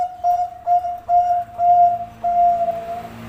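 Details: Bangkok-type zebra dove (perkutut bangkok) cooing in a clear, whistle-like voice, a few short notes then longer drawn-out ones at a constant pitch, in a quiet setting.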